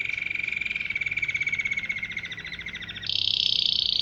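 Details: Canary song said to attract dozens of canaries, goldfinches and other wild birds. A long, fast buzzy rattle at a fairly level pitch suddenly jumps to a louder, higher dense trill for the final second.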